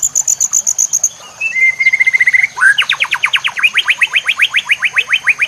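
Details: Training song of a White-rumped shama with a background of nature sounds and trickling water: a string of high pulsed notes, a thin buzzy trill, then a long rapid series of rising whistled strokes repeated about four times a second.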